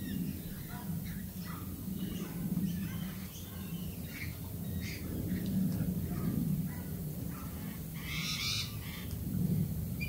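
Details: Australian galah squawks, many short harsh notes repeated rapidly throughout, with a louder raspy screech near the end, over a constant low hum.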